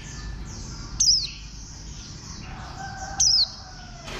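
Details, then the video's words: Two thin, high-pitched notes from a warbling white-eye, each falling quickly in pitch, about two seconds apart, against a low droning background. "Khuyên xanh"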